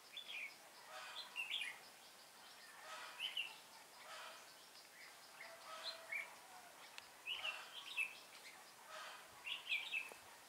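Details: Red-whiskered bulbul decoy bird used for trapping, 19 January 2018; brief warbled phrases repeated about every one to two seconds across the stretch, each a quick cluster of bright chirped notes, over faint background hiss.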